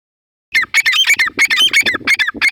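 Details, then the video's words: Partridge pair calling in a rapid, loud series of squeaky, rasping notes, about five per second, each with a bright whistled core, after a brief silence. "teetar sound/teetar ki awaz"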